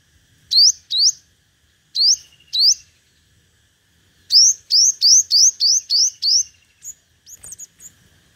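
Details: Decoy sunbird (Vietnamese 'hút mật 5 màu', five-coloured sunbird) in competitive singing, used for loudspeaker trapping: high, thin upswept whistles, first in pairs, then a fast run of about eight, ending in scattered short chips.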